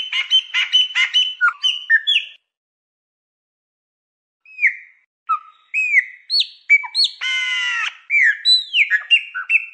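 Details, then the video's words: Chopi blackbird song played to stimulate a pet bird to sing: rich whistled and warbled notes with slurred falling phrases, a bright harmonic burst, and a pause of about two seconds in the middle. "1 HORA DE CANTO DO PÁSSARO PRETO PARA ESQUENTAR O SEU"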